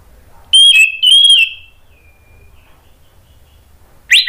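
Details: Orange-headed thrush whistling as a lure to trigger song in other thrushes: two loud, slightly wavering whistled phrases about half a second apart, a faint trailing whistle, silence, then a sharp new note begins.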